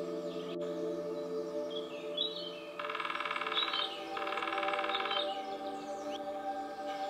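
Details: Two quick drum rolls, each roughly a second long and separated by a short gap, from a female lesser spotted woodpecker, one of a pair in Nottinghamshire woodland, UK. Other birds chirp softly around them.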